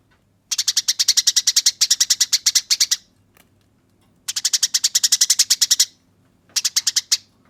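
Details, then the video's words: Fighting Eurasian tree sparrow, a master recording for teaching other birds, delivers long rattles of fast harsh chirps, a pause, a second extended run, then a brief closing burst. "Masteran Burung Gereja Tarung Ngeroll Abis Nyerecet Kasar dan Jernih"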